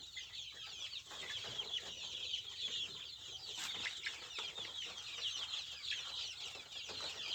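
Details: Native Indonesian village chickens (ayam kampung, joper crossbreeds also named) fill the recording with steady, crowded high-pitched peeping, many birds chirping at once without pause, with one brief sharp sound near the middle.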